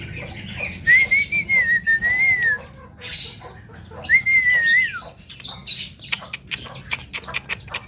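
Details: Imitating what it hears, a Javan myna produces two long wavering whistled phrases, each ending in a downward slide, separated by sharp clicks and short bursts.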